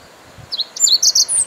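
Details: Close meadow bunting song, the bird singing in an elegant upright stance: a fast burst of high, clipped chirps and rising twitters in about one second, loud and clean.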